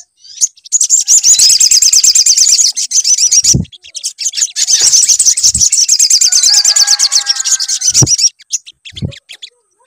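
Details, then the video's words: Sunbird singing in a lure meant to prompt another bird to sing: two long, fast, shrill trilling phrases of several seconds each, with intermittent low thuds. "PANCINGAN SUARA SOGON AGAR BUNYI"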